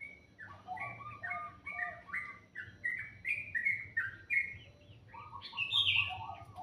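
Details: Sweet morning birdsong of short whistled notes in quick repeated pairs, pitch stepping up and down, ending with a brighter, higher flourish and a run of lower whistles, with faint low hum behind.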